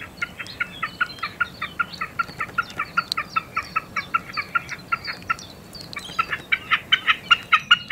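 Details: Common snipe singing: a steady run of short, hard, two-toned clucking notes, about two and a half per second, with a brief pause near the end before the series resumes.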